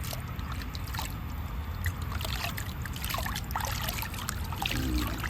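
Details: Trickling, dribbling water with scattered faint clicks over a low rumble; no animal voice is heard.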